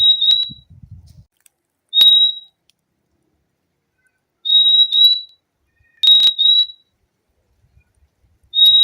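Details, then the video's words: Purple-throated euphonia, called fim-fim, giving clear high whistled notes, single and in twos, spread over several seconds, with sharp clicks and a brief low rumble at the start. "O LINDO SOM DO PÁSSARO FIMFIM"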